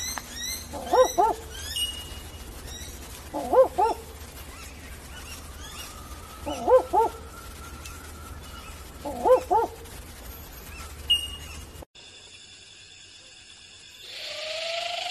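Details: Barking owl (Ninox connivens), a nocturnal bird, giving four short, dog-like double 'wook-wook' barks, one every two to three seconds; faint high chirps behind, and the sound cuts to hiss near the end.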